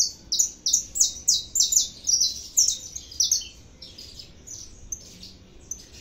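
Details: Saffron finch, known in Brazil as canário da terra, singing a lot: a fast run of bright, high chirped notes about three per second, loud at first, then softer and more scattered trills.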